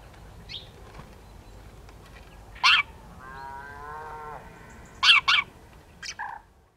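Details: House sparrow females in conflict at first light on 5 December 2016, autumn, rural Limousin: scattered harsh chirps, a pair and a double near the end, with a long low droning tone in the background.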